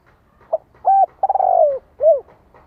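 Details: Decoy spotted dove calling in the 'gáy gù' style to lure wild doves in to fight: a short note, then a clear coo, a rapid rolling stuttered coo that slides downward, and a final arched coo, in near-silent surroundings.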